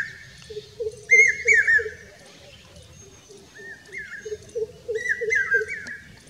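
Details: A Common hawk-cuckoo sings loud, shrill whistled phrases about once a second in Rajasthan, India, over a lower series of quick repeated notes from another bird.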